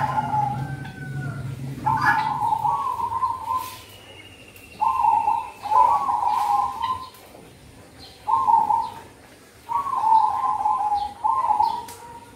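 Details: Zebra dove cooing, recorded as a lure for the cold season. Several fast, bubbling trilled phrases come in spaced bursts. A drawn-out whistle from another bird rises early on, over a low rumble.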